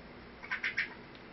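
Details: Crested myna indoors in a house, uttering three short, scratchy chirps in rapid succession, evenly spaced over less than half a second, against a quiet room background.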